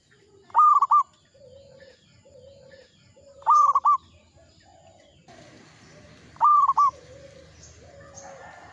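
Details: Actively singing local zebra dove gives three bursts of its loud, broken, trilled cooing phrase, each followed by quieter low humming coos.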